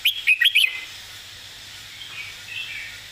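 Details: Master song of a Red-whiskered bulbul, delivered with clear phrasing and stressed notes: four rapid, sharp whistled notes at the start, then only soft, distant warbling.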